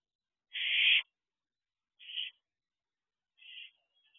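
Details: Barn owl owlets in a nest box at night: three harsh, hissing screeches, the first loud and half a second long, then two shorter, fainter ones about 1.5 seconds apart.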